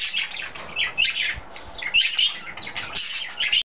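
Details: Dense, nonstop warbling chatter from a pet budgerigar in its usual morning mood, with other budgies answering. Rapid scratchy chirps and sharp little squeaks overlap, with kiss noises and talking-like phrases among them.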